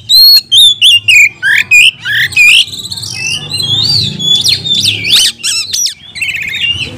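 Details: Oriental magpie-robin in agitated song used to provoke rival magpie-robins: a quick run of five or six loud, clipped whistled notes, then looping slurred whistles and squeaky sweeps over a low rumble.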